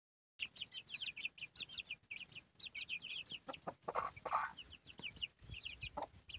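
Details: Chickens, a hen with her chicks: constant high, thin peeps from the chicks, repeated rapidly in clusters, with a few lower clucks from the hen and some background rustling.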